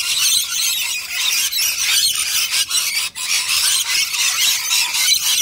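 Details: Close-up rainbow lorikeets, native wild birds feeding on nectar in a big flock, fill the air with overlapping shrill squeals and grating chatter that barely pauses.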